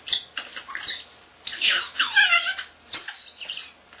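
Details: Young indoor pet common starling talking in mimicked phrases: clicks and chatter, then a looping, word-like warbled sound resembling human speech, ending in high squeaky notes.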